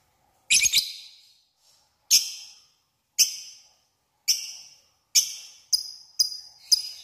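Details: Lovebird lure meant to call a rival: shrill, piercing chirps, a double note first, then single harsh squeaks at roughly one-second intervals that quicken toward the end, each with a fading echo.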